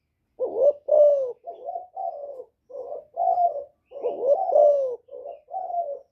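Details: Thổ-voiced spotted dove cooing to provoke rival males, delivering a near-continuous run of short, low, throaty coos, some bending downward, in quick succession with brief gaps.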